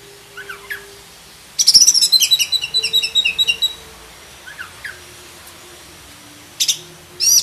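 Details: Black-breasted magpie-robin (kacer dada hitam) master song rich in 'isian': a fast, rhythmic burst of repeated high chirps lasting about two seconds, with faint slurred notes before and after and sharp clicks at the end.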